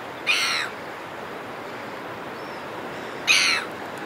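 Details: Red-billed gulls calling in flight over a cliff top, recorded close: two harsh, strident squawks about three seconds apart, standing out over a steady background hiss.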